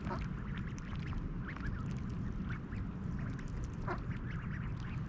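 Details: A mallard mother and her five nearly grown young, fed oats at Snelli Pond, Tallinn, at 6:30 AM in mid-July 2021, give short, nasal quacks in scattered, overlapping bursts over a low rumble of wind or water.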